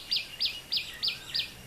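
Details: A common tailorbird in a Sri Lankan home garden repeats a loud, sharp, high note about three times a second, each a quick emphatic chip, with faint background hiss.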